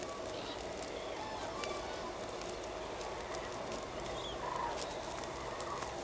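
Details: A large gathering of common cranes at Linum on 10 October 2014 gives a steady, overlapping chorus of rolling, trumpeting flock calls, with a few clearer notes rising above the dense murmur.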